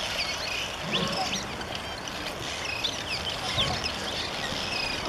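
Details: Hundreds of cliff swallows building mud nests in April in Redding, California, give a continuous chorus of short, squeaky chirps and purring notes, overlapping without pause, over a low background rumble.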